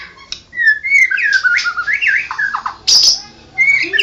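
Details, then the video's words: White-rumped shama, a national champion, singing rich, fluid whistled phrases that loop and slide, ending with a sharp high burst and a low falling whistle. "Burung Murai Batu Juara nasional murai batu ngoceh ngerol gacor"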